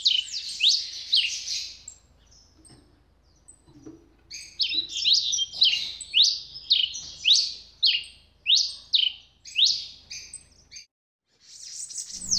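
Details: Red Pileated Finch (Tico-tico-rei-vermelho) from Brazil, a song noted among its most beautiful birdsongs: high, sharp, slurred chirps, nearly two per second, in bursts separated by short pauses over a quiet background.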